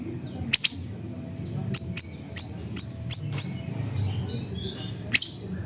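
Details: Siri-siri bird in Mutiara district, Pidie, Aceh, Indonesia, singing loudly: very high, thin, falling chip notes, a double at first, then a run of five spaced evenly, and a final louder note after a pause.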